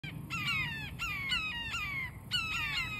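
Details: Recently fledged young red-shouldered hawks (Buteo lineatus), June 13, give harsh, downslurred squealing calls, several overlapping notes about every half second, over low background rumble.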